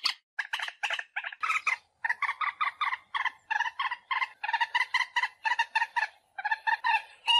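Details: Moorhen calls played as a hunting lure: fast nasal cackling with harmonic, rolling clucks in long continuous runs, speeding slightly toward the end.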